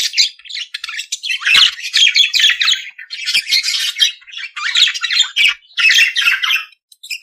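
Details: Australian budgerigar in steady warbling chatter, rasping squeaky notes merged into long buzzy phrases about a second each, separated by short pauses.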